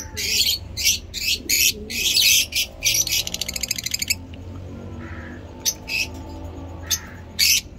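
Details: Lovebirds in Peshawar during fine weather: loud harsh chirps and a rapid buzzy trill over the first half, then only sparse single shrill calls with quiet between.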